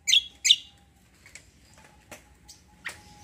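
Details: Cucak kombo, also called kecial kombo, in a gacor roll tembak style: two loud high chirps at the start, then scattered fainter high clicks and short notes over a low background hum.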